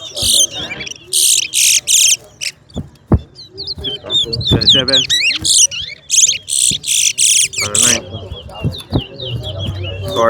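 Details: Chestnut-bellied seed finch, locally towa towa, singing in a competition between West Coast and West Bank birds for bragging rights; dense bursts of high, buzzy, rapidly trilled notes in two clusters, with men talking between the bursts.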